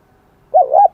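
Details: Wild-caught spotted dove singing in the high-pitched, bell-like 'kim đồng' voice style: one short, mellow two-part cooing phrase, the second note slightly higher and ringing, over a quiet background.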